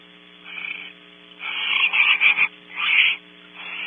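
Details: Pair of Barn owls at a nest cavity camera on Starr Ranch, California; both fly in and bond, he passes food. Harsh, noisy chittering and hissing bursts, several in close succession, loudest mid-clip, over a steady electrical hum.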